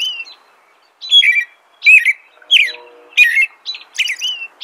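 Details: American robin caroling in clear, separated phrases about once every 0.7 seconds, each a slurred liquid whistle with thin high overtones, a faint low hum briefly beneath.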